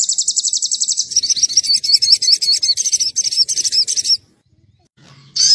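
A Crimson Sunbird gives a very high, rapid trill, then a thin chattering run of squeaky, wavering notes. There is a short pause before another high burst.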